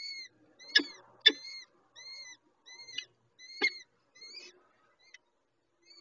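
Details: Peregrine falcon chicks being fed by their mother at the nest: repeated harsh, arched calls with stacked overtones, a few louder sharp clicks or knocks between them, irregular spacing.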